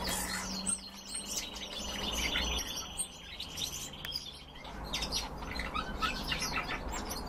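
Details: Several captive red crossbills (Loxia curvirostra) keep up sharp, high chipping calls in quick, uneven bursts, over a steady low hum and a faint thin high tone.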